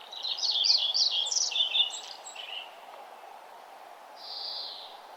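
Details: Morning birdsong at sunrise along a nature trail: a rapid, jumbled run of high twittering notes for about two seconds, a pause, then one drawn-out buzzy high note near the end.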